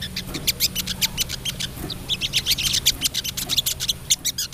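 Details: Female crested jay, known locally as sogok ontong, calling to a male with a busy ngriwik chatter. Fast, crackling, sharp notes repeat several times a second in uneven runs, over a faint steady low hum.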